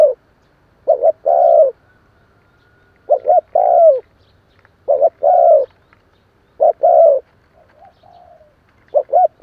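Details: Spotted dove calling as a decoy bird to rouse newly caught doves. Phrases recur every two to three seconds, each made of two or three short hoarse notes and a drawn-out descending coo. A faint thin whistle lies between them.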